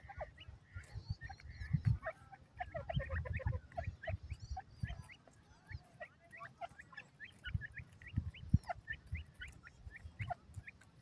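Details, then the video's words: Chorus of female francolin (Indian teetar) calls: dense streams of short upward-flicking chirps, quickening toward the end, several birds overlapping, with heavy low thuds and rumble. "ghoray teetar kio awaaz,indian teetar madi ke awaz"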